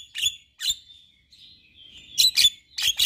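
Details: A white-eyed male Javan myna gives harsh, squeaky chattering bursts with a thin whistled note between them, about five loud bursts in three seconds.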